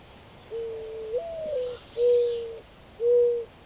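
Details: Soft, owl-like cooing of a mourning dove. A long first note climbs and then falls away, and two steady, evenly spaced coos follow. Faint higher bird calls can be heard behind it.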